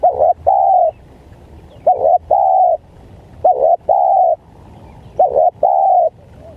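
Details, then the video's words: Spotted dove calling, played to lure wild doves: four mellow cooing phrases, each a short broken double note and then a longer sustained coo, repeated roughly every one and a half seconds, with little background noise. "Pikat Tekukur,Menekan, Tekukur Liar"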